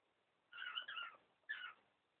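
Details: Pet cockatiel in a room, taped on a mobile phone: two rough, raspy squawks about one second apart, the first longer and broken into two parts, over a low hiss.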